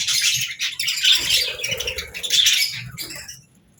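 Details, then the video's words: Budgerigars make two loud bursts of scratchy chatter and squawks, with a low hum beneath. The clip fades to quiet at the end. "Budgies Singing"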